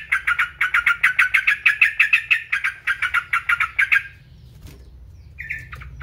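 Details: Yellow-vented bulbul song, used as a training recording to stimulate other birds: a fast chatter of bright, buzzy notes repeated about twice a second for four seconds, a pause, then a few higher notes at the end.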